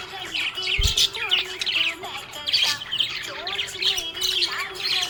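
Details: Budgerigar chirping happily, energetic scratchy warbling and quick tweets filling the recording, a faint knock near the start and music underneath.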